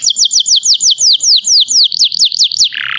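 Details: Pied (blorok) white-rumped shama from Palembang singing a fast series of about fifteen sharp descending whistled slurs, evenly repeated, ending in a softer buzzy note.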